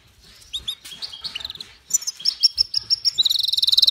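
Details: Goldfinch × canary hybrid (mule) song: bright, high twittering notes in quick succession, building to a rapid, evenly pulsed trill over the last second, with faint low thumps beneath.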